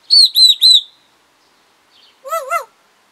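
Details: Pet African grey parrot talking indoors: three loud whistled, wavering notes in quick succession, a pause, then two lower warbling rising-and-falling notes.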